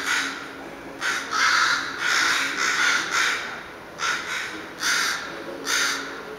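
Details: Rasping caws from crows or ravens in a long calling bout. Separate hoarse notes come singly and in pairs at uneven intervals, with quiet gaps between them.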